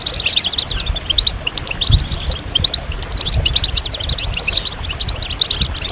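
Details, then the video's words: A goldfinch's lively, liquid chatter: crowded high chirps and quick downslurred notes tumble along continuously, with a few louder bursts and a faint low hum behind. "Magical Goldfinch Songs"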